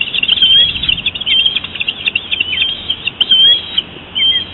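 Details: Nesting female bald eagle calls for her mate who brought her a fish: thin, high whistled squeals and chitters, some drawn out and sliding, in uneven bursts.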